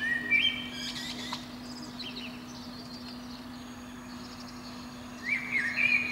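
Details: A protected Eurasian blackbird sings from a pine top below a window every spring morning. A warbled phrase opens the recording, then there is a long quiet gap before another fluting phrase, with a low hum throughout.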